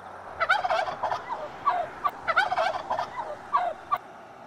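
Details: Turkey gobbling, heard in a children's farm-animal sounds sequence: bursts of rapid, bubbling, warbled notes in two main volleys with scattered single yelps between, over a steady background hiss.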